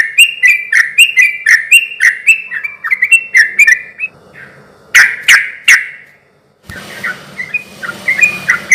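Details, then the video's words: Energetic sooty-headed bulbul song played to draw replies from quiet bulbuls: rapid repeated liquid whistle pairs, a short gap, three loud sharp bursts, then fainter warbling over a hissy background. "suara trucuk gacor ini ahlinya bikin pancingan trucuk yg macet akibat ombyokan pasti nyaut bunyi"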